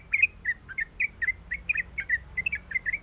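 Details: A female sooty-headed bulbul calls to the male in brief, clear, bubbly chirps, each twisting up and down, about four per second, with little else audible.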